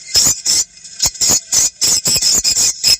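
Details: Recorded swiftlet calls used to test a location and attract swiftlets, played from a handphone or portable speaker; irregular bursts of shrill, high-pitched twittering separated by short gaps.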